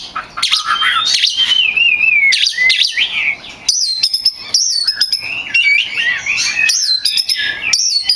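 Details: Oriental magpie-robin in champion song for training other birds: long gliding whistles and a dense stream of shifting warbles, sharp high notes and varied phrases with hardly a pause.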